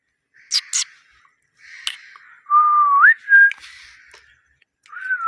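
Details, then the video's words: A parrot indoors gives a couple of harsh chirps, then clear, smooth whistles that slide upward and hold, with a short pause between each. "Chirping sound parrot"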